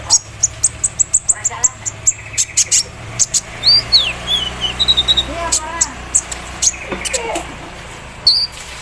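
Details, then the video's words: Javan sunbird in the morning dew singing a long embroidery-machine imitation fill: a rapid steady run of sharp high chips, a few slurred downward whistles, and short warbled phrases. "KOLIBRI NINJA GACOR KELUAR ISIAN MESIN BORDIR SAAT DI EMBUNKAN PAGI HARI"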